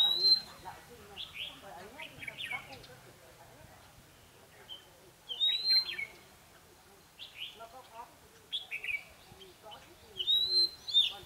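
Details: Decoy red-whiskered bulbul singing in the mồi ché style to provoke rivals: loud, clear whistled phrases rising and falling, delivered in bursts roughly every three to four seconds with quieter chattering between, over faint background noise.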